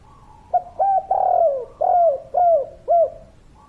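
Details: Lively spotted dove of the kuk-3 calling style delivering a packed coo sequence: one brief opening note followed by five smooth, falling, hollow coos, the long third one drawn out, with a faint low rumble behind.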